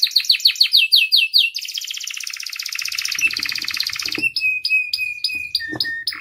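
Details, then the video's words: Lively canary song used to train and prompt other canaries to sing: quick repeated notes give way to a long buzzy rattle, then sustained thin whistles. "MASTERAN DAN PANCINGAN KENARI GACOR FULL ISIAN"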